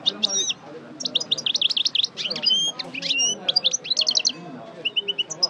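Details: European goldfinch of the Parva type, a 'coupleur' singer just out of moult, going back over its song: dense, rapid high twittering with buzzy trills and sharp chirps, brief pauses, and a faint low murmur beneath.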